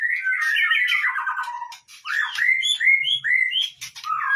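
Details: White-rumped shama lure song for triggering other birds to sing: a burst of tumbling warbled notes, then a series of separate, bright, up-slurred whistles.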